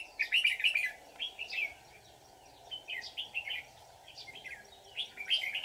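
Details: Red-whiskered bulbul during trapping, 24 July 2019, with a white-cheeked bird; short warbled whistle phrases come in three or four spaced bursts, with a continuous low hum behind.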